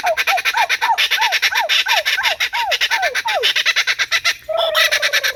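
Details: Trained captive Laughing Kookaburra calling persistently after warming up, about a dozen quick arched hoo notes, then an abrupt break into raucous laughing cackles.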